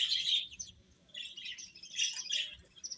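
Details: Baby hens chirping as they eat: two loud bunches of shrill, overlapping peeps, separated by a brief quieter gap.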